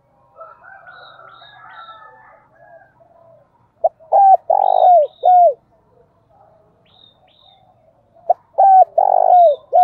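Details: Spotted dove used as a decoy bird cooing loudly: a short hoarse lead note, then a strong drawn-out coo with a clipped end, repeated twice, with softer chirps from other birds between.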